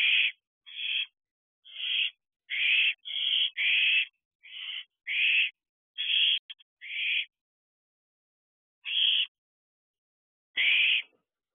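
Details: Bonded owlet siblings sitting side by side in an owl box at 2:43 am, 30 June 2023; rapid run of rasping, breathy screeches, about thirteen short bursts, crowded early, then spacing out with longer pauses.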